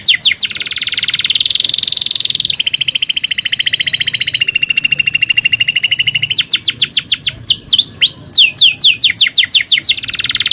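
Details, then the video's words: Canary long rolling song used as a tutor for young birds: buzzy roll, sustained pure whistled tones in steps, then quick descending trills and swooping notes, ending in another buzzy roll. "kenari gacor panjang cuit cuit ngerol ini ampuh buat PANCINGAN KENARI paud belajar bunyi"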